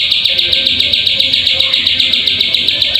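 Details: A rapid, even string of high, buzzy prinia notes, close to four per second, from a plain prinia lure recording used to make birds sing; faint low background noise underneath.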